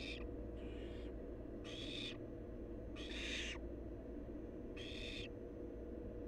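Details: Barn owl nestling, wild, calling from the nest with a series of five breathy, noisy screeches of varying loudness, about one second apart, steady hum behind.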